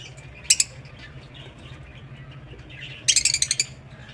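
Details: Aviary lovebirds kept as pets give a quick double chirp, then after a pause a rapid burst of about seven shrill, squeaky chirps in a tight run, with a steady low hum underneath.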